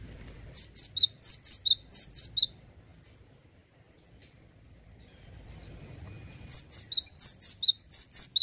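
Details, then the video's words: A male cinereous tit sings two bursts of high, ringing two-note phrases, repeated rapidly about twice a second, with a few seconds of quiet between them. "GELATIK BATU JANTAN LAGI ONFIRE...GACOR NGEPLONK"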